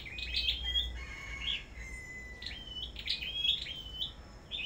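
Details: Bird farm singing contest with a Sâu đầu đỏ songbird: long level whistles alternating with bright upswept notes, one drawn-out falling whistle near the middle, phrases flowing with little pause.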